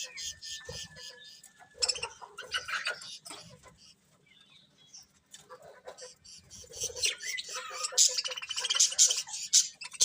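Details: Colourful budgerigars kept as pets, a thin level whistle at first, then bursts of scratchy chattering chirps and warbles that grow louder and denser toward the end.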